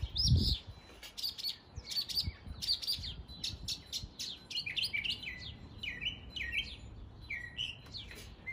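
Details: Northern mockingbird mimicking area birds in East Tennessee, starting with scratchy buzzy bursts and moving into repeated slurred whistles that rise and fall, a short low thud at the start.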